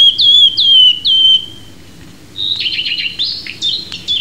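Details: Wood warbler, a British bird, giving three clear, plaintive whistles that slide downward, then a pause before a jumble of short, high, buzzy notes. The background is quiet.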